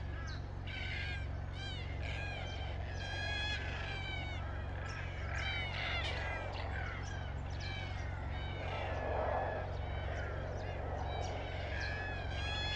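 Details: Red-tailed black cockatoos calling as a group: many overlapping harsh, rolling, arched calls with rich harmonics, several per second throughout, over a steady low hum.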